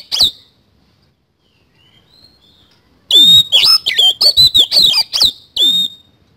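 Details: Oriental magpie-robin singing actively in the isian kasan song style: a lone sharp note, a pause, then a dense burst of rich whistles and slurred, rising and falling notes, with harsh buzzy chips between phrases.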